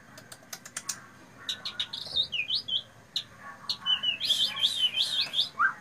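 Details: Loud, shrill white-rumped shama song: sharp clicking notes at first, then high, thin whistled phrases and a fast warbling burst, rather quiet against background hiss.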